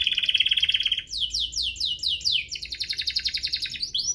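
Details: Duo of canaries in full vigorous song, meant to prompt other canaries to sing and to tutor young birds: a dense rapid trill, then a series of swooping rising-falling whistles, then another fast run of notes.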